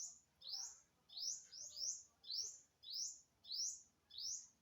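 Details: Unknown bird, recorded on September 27, 2022: high, rising chirps, some in quick pairs, repeated roughly every 0.6 seconds against a quiet background with a low hum.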